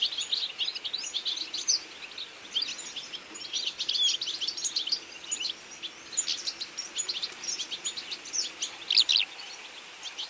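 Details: Autumn feeding flock of European goldfinches giving a constant high, liquid twittering chatter, many birds calling at once with clustered bursts and brief lulls, faint background hiss.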